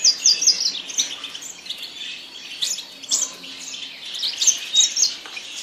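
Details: Yasmin bird song: a rapid run of high, sharp chirps at the opening, then a continuous squeaky twitter with several louder bursts toward the close.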